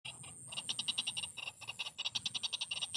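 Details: Aggressive female white-breasted waterhen: harsh clipped pulses repeated fast, about six per second, in a steady rhythmic series lasting three seconds, over a constant thin high whine.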